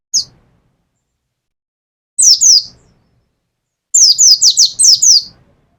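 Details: Mountain white-eye from Pacitan, kept caged, delivering 'nembak' bursts: a lone high downslurred note, then a pair, then a rapid run of six sharp descending whistles, each burst louder than the last.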